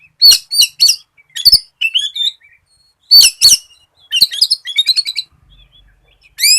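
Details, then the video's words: Lively Oriental magpie-robin song meant to set other magpie-robins singing: sharp repeated chips, whistled upslurs and fast jangling trills, bursts coming every second or so with short silent breaks. "SIULAN KACER GACOR COCOK BUAT PANCINGAN KACER"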